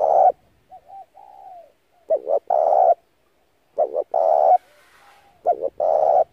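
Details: Spotted dove call used as a lure for trapping doves: a deep cooing phrase of two or three quick short notes and a longer drawn-out coo, given three times roughly every one and a half seconds, with soft faint coos between.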